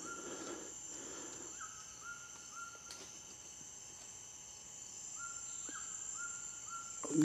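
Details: Black-spotted Bare-eye (subspecies paraensis) in April 2013 at Santa Barbara do Pará, northern Brazil, gives short, level whistled notes in two quick runs of about four over a steady high insect drone.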